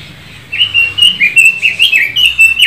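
A red-billed leiothrix sings a fast, continuous run of bright, warbling whistled notes, high and rippling, rising and falling without pause for over two seconds.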